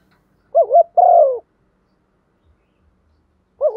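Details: Female spotted dove giving the urging and calling coo style, used to stir up decoy birds: a quick wavering two-part note, then a long, low, falling coo, with the next phrase starting near the end; otherwise quiet.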